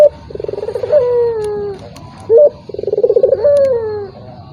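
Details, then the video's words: Turtle dove call intended to provoke a rival that rarely calls: two phrases, each a rapid pulsed roll rising into a long sliding coo, separated by a short bright note, over a low hum. "PANCINGAN BURUNG PUTER || COCOK UNTUK LAWAN YANG MALAS BUNYI"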